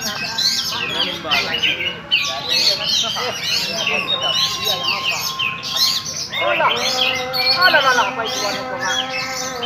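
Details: Oriental magpie-robin of the Raja Ampat kind, performing steadily on a single perch, delivering rapid varied chirps, sweeping whistles and squawky notes in dense bursts, with sustained tonal lines and a voice-like hum underneath.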